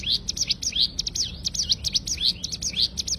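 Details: Short stretch of cigun tembakan song for tutoring cage birds: a dense, unbroken stream of piercing high chips and upward-swept flicks, very fast and even.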